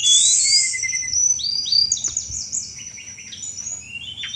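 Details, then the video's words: Sunda robin, a lively mountain bird, singing a rich chattering song used to lure all kinds of thrushes: fast high whistled notes and sweeping slurs with quick clicks, tumbling in rapid varied phrases. "tledekan gunung gacor cetrekan cocok buat mancing segala jenis anis"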